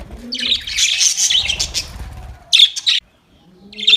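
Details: Playing budgies give a rush of high, scratchy chirps, then a short sharp burst after a pause, while low soft cooing notes sound beneath.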